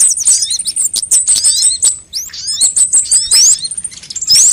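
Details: Sunbirds of several kinds, recorded as a lure to attract birds and prompt them to sing: dense, high, thin chirps and quick rising whistled sweeps tumble over each other, with short pauses and a brief lull near two seconds.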